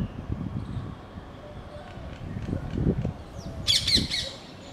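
Rose-ringed parakeet giving a burst of harsh, high screeches near the end, over low rumbling background noise and faint chirps.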